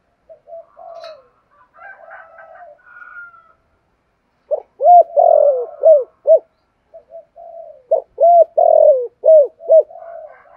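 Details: Spotted dove calling to stir other doves: soft low murmurs first, then two clear runs of hollow arched coos, each with a long drawn note among short ones.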